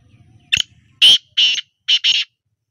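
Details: Black francolin giving one harsh grating phrase: a short clipped note, then four loud rasping, buzzy notes, the last two run close together, after a faint low murmur at the start.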